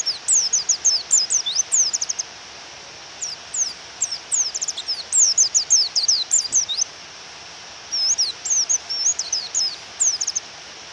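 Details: Female white-eye (pleci) calling to stir a male into song, with rain: rapid bursts of piercing, high, downslurred chirps in three long runs separated by short gaps, over a continuous rain hiss.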